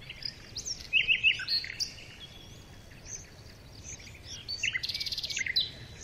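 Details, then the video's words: Hungry red-vented bulbul chicks with their mother beg with sharp, high chirps, ending in a rapid, buzzy burst of calls, while other bird notes sound over faint outdoor background noise. "Red vented bulbul mother bird and their super hungry babies"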